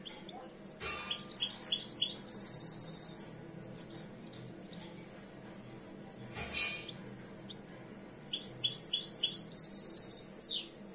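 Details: Two-year-old European goldfinch coming into breeding condition, singing two bursts of rapid repeated high twittering notes that build into a bright trilled flourish near the end of each phrase, with a quiet pause between.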